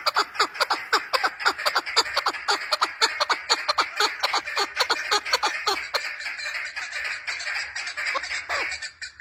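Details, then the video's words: Female chukar partridge calling: a loud series of harsh clucking notes, about two per second at first, quickening into dense, run-together chattering toward the end. "FEMALE CHAKOR OF BEST SOUND FE MALE ZARK WAAZ-FE MALE ZARK VOICE- FE MALE CHAKOR VOICE"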